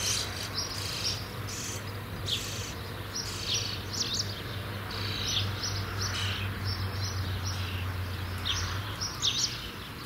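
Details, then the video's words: Starling nestlings nearly ready to fledge, giving a continuous run of short scratchy chirps and rasping calls at a moderate volume over a low steady hum. "Junge Stare ■ Sturnus vulgaris werden bald flügge"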